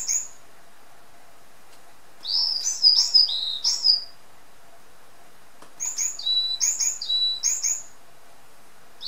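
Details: Pet varied tit kept in a cage, singing two bursts of high sweet whistled notes, each phrase of paired slurred notes repeated three or four times, with quiet pauses between bursts.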